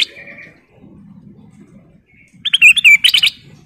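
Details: A sooty-headed bulbul gives a short whistled note, then after a quiet pause a burst of loud, liquid chirps and slurred whistles in quick succession.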